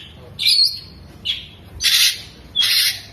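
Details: Oriental magpie-robin with tail opened, producing four loud harsh buzzy bursts spaced unevenly over a few seconds, rasping chatter in the manner of a lovebird.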